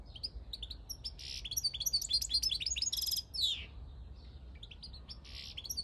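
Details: European goldfinch, a field bird recorded in 2022, singing a fast, bright, tinkling warble of twittered notes, short buzzy trills and a downslurred sweep, with a steady low rumble beneath.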